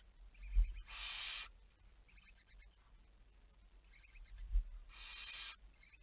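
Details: Two rasping, breathy screeches about four seconds apart from a barn owl, 11 May 2019 at 23:34, each lasting about half a second, with faint low thumps between them.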